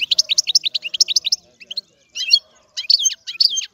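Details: European goldfinch singing: quick, high, tinkling twitters in a rapid run, a short pause, then buzzier liquid phrases and bright chirps.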